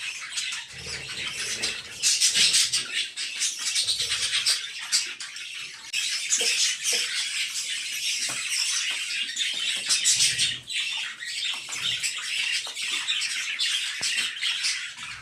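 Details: A father budgerigar feeds his five chicks, which give a dense, raspy, hissing chatter of begging calls.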